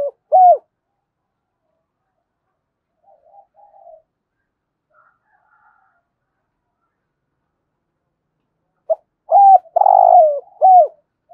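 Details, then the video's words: Spotted dove giving a 'thúc gù' coo, a recording meant to be played daily to stir other doves into cooing. A brief mellow coo opens, then a long quiet gap with faint murmurs, and a closing burst of several bending, rounded coo notes. "cu gáy thúc gù giọng hay"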